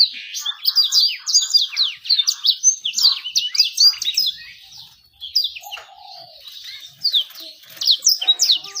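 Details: Lure song meant to make birds sing quickly and draw in females: bursts of fast, high chattering trills and swept notes, a brief lull midway, then a lower whistled note before the twittering resumes.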